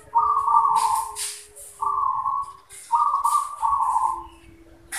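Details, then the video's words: Perkutut, or zebra dove, giving manggung song: three short, low, trilled coo bursts, each about a second long, separated by quiet gaps, with light clicking and a faint low hum. "Zebra Dove | Perkutut manggung"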